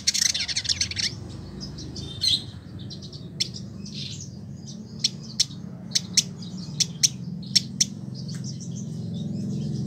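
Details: Caged Village indigobird, a year in care in Bandung, Indonesia, kept as a tutor for other songbirds. A buzzy rasping opening, then sparse high ticks spaced about half a second apart, with a low background drone.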